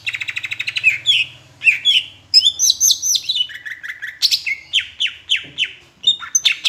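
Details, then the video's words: Palembang greater green leafbird tutor song with Asian brown flycatcher imitation: fast stuttering notes, bursts of high twittering, then repeated downslurred whistles, over a faint low hum. "Masteran cucak hijau rasa sikatan londo"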